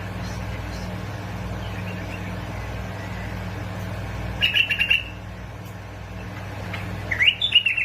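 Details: Bulbul from the Basra and Fao area of Iraq, recorded to stimulate singing: two brief phrases of quick chirping notes, one midway and one near the end, separated by quiet, over a persistent low hum.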